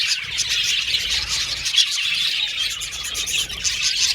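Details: Budgerigar flock in an aviary, nonstop chirping and twittering from many birds at once, a high, even babble with a brief louder squeak near the middle.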